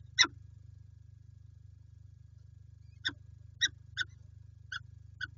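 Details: Peregrine falcons recorded in Lublin, Poland, 5 April 2020: one grating call, a pause of nearly three seconds, then five clipped harsh notes. A constant low hum runs underneath.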